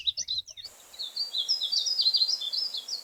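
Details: Painted bunting song: a rapid, sweet, high warble of slurred notes running about two seconds, after a brief clipped burst of different high sound at the start.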